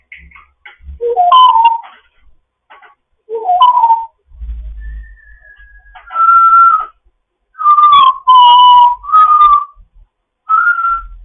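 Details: African grey parrot in foster care chatting in the morning: a varied series of whistled notes, some rising and some falling, including a long thin whistle, with short bursts and pauses between phrases.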